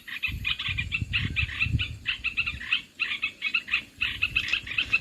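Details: Olive-winged bulbul lure sound used for trapping birds: dense bubbly chattering bursts repeated in quick runs, broken by short pauses, with low rumbling noise underneath during the first two seconds.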